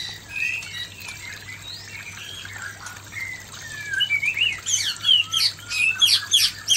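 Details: Male white-rumped shama facing an aggressive female delivers soft varied whistles that build into louder, quick, scratchy notes and sharp chips toward the end, with a constant faint hum.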